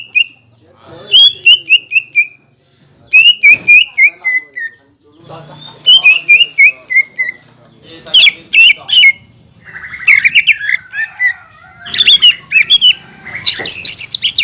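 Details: Green leafbird song intended to raise rivals' excitement, said to mimic kingfisher, magpie-robin and shama: repeated descending whistle series, turning later into denser, harsher chattering bursts with squawky notes.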